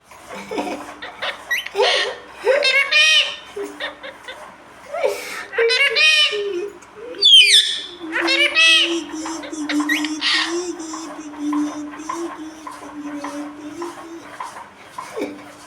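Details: Talking parrot mimicking speech, apparently saying "roti debe": a run of speech-like syllables with bursts of squawky, harmonic-rich sounds and a few sharp chirps, continuing almost without pause throughout.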